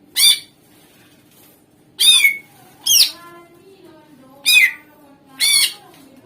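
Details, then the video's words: Greater green leafbird lure song for coaxing other songbirds to answer: five harsh, squawky, downward-sliding notes spaced irregularly, with faint softer notes between them. "Suara Pancingan Cucak Ijo Gacor"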